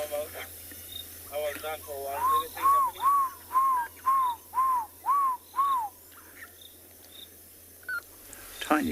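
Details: African barred owlet calling in riverine habitat at sunrise on an African safari, near lions and hyenas at a kill: a run of eight arched, whistled notes, about two per second, with steady insect hum and a brief voice at the start.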